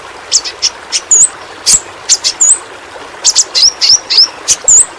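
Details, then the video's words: Yellow-rumped flowerpecker, a small fruit-eating Kalimantan endemic kept for tutoring pet birds: crisp sharp ticks interspersed with tiny high upswept whistles, loosely repeated at a brisk pace over quiet hiss. "Burung Pentis Pelangi Masteran Bagus Untuk Burung Figther"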